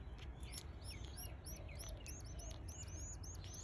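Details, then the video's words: Eleven-day-old canary chicks begging while being fed and stretching: thin high squeaky calls repeated rapidly over steady low rumbling background noise. "Feeding frenzy canary chicks day 11"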